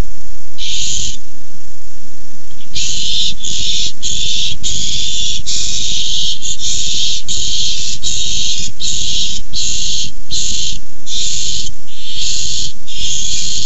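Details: Food fight over a tiny mouse among nest-cam barn owls, 6-4-15: one lone raspy hiss, a short pause, then an agitated run of about fourteen quick hissing screeches in close succession.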